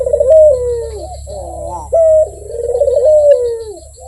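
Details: Close Barbary dove giving two rolling, descending coos linked by a clear flat note, warm and throaty, over a faint low hum.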